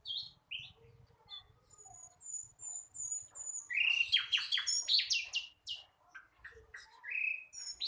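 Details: Young flycatcher in song practice: scattered high whistles at first, then a loud burst of fast, jumbled downslurred notes, ending with a rising whistle and a few thin chirps.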